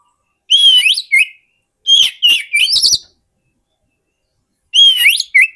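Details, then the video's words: Oriental magpie-robin singing, a lure song for catching wild birds: whistled phrases of a level note, an upward slur and a clipped lower note, with a busier run of short chirps in the middle and a quiet pause before the final phrase. "SUARA PIKAT BURUNG KACER YANG SATU INI"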